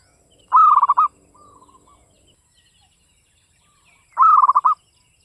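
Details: Local Java zebra dove, classic Mataram rhythm: a loud trilling coo phrase, a softer quieter echoing phrase after, then another full rolling phrase about three seconds later; soft background bird chirps.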